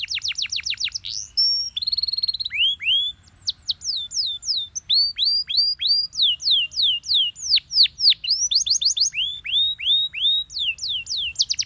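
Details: Long morning song from a Belgian canary, made of loud, crisp downward-sweeping whistles repeated in quick series with brief buzzy and trilled bits, keeping a steady brisk rhythm throughout.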